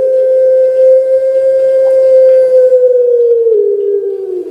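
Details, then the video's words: Captive Barbary dove from Java, Indonesia, delivering long melodious cooing, a smooth sustained tone held steadily for several seconds before gently dropping in pitch at the end. "Puter Pelung SUARA BAONG MERDU PANJANG"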